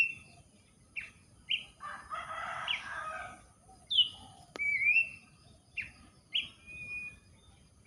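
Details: Abbott's babbler whistling near someone gardening, brief clear notes repeated every second or so, a long wavering whistle in the middle, with a harsh rasping noise and a sharp click in the background.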